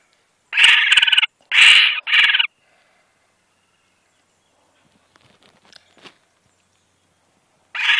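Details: A pair of laughing kookaburra nestlings in a nest box about 6 m up at Steiglitz, Victoria, give begging calls: harsh, raspy screeches, three quick ones back to back, then a quiet pause with faint clicks before another starts.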